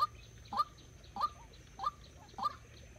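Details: Decoy white-breasted waterhen used in trapping gives strong nasal notes that sweep up and trail off, about four in three seconds, slightly uneven spacing, over a faint hum.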